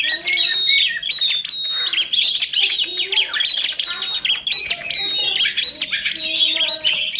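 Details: Busy masteran birdsong from kacer, tledekan gunung and prenjak: dense rattling trills, clear whistles and chattering phrases overlapping nonstop, several birds singing together.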